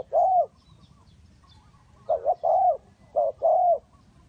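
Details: Spotted dove serving as a decoy in a trap, one long coo followed by two groups of a short doubled note and a drawn-out mellow coo, in a quiet setting.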